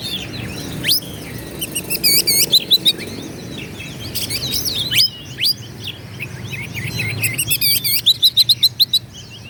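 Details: Oriental magpie-robin pours out a fast, varied song of high whistles, sharp chips and rapid repeated trills, loud and continuous over faint background noise; used to provoke other magpie-robins into singing.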